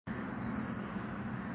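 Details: An Oriental magpie-robin (Copsychus saularis) gives a single pure, high-pitched whistle held about half a second, steady then lifting slightly at the end, over a soft background hiss.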